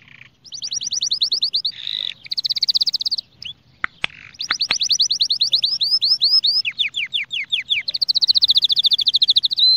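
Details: A Spanish Timbrado canary sings a long tutoring song for young birds: dense high trills and a buzzy lower burst, a short pause with a few clicks, then sweeping downward notes and a steady rolling trill.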